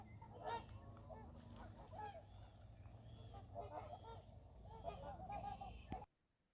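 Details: Trumpeter swans coming in at Church Slough, Montana, with scattered resonant honks at moderate distance, some doubled, over steady low background noise. The calls cut off abruptly near the end.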